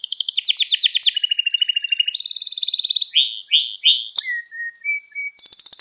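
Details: Young-canary training song from a canary: rapid pulsed trills shift through several pitches, followed by rising swept notes, low flat whistles, short high notes and a closing fast trill, with no pause.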